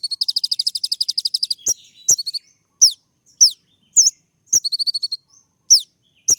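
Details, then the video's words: Rapid run of about fifteen evenly spaced buzzy notes opens this brown-throated sunbird (kolibri ninja) song, followed by sharp high whistles and brief chatters, in a style meant to provoke other birds. "putar sekali koninmu pasti nyaut masteran suara tembak yang buat konin emosi"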